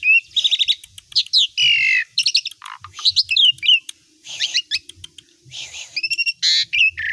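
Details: Asian pied starling in full, active song packed with mimicked phrases of other songbirds: rapid varied whistles, squawky buzzy bursts, rattles and trills in quick succession with brief pauses between.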